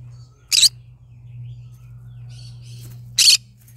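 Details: Two short, shrill, rasping screeches about two and a half seconds apart come from a pet yellow-sided green-cheeked conure in the morning, over a steady low electrical hum and faint chatter.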